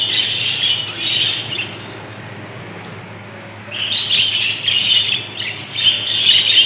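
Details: Several budgerigars in Pakistan twittering with bright, buzzy high chirps. A chattering burst is followed by a two-second lull, then a livelier run of notes, all over a low steady hum.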